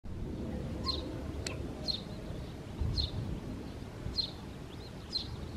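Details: Recently fledged Eurasian tree sparrow chick met on a birding walk on 4 May 2024, giving single high chirps about once a second, evenly spaced, over low background rumble.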